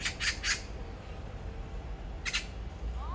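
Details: Magpie singing in the morning, recorded on a phone: a quick run of three harsh, rasping chacks, then a single dry chack after a pause, over a steady low rumble.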